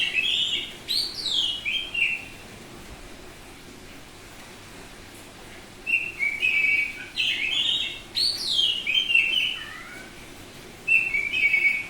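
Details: Semi-tame Bali oriental magpie-robin singing loudly and openly: bursts of clear whistled phrases with bright downward-slurred sweeps and short trills, separated by quiet gaps of a second or more, over faint steady background hiss.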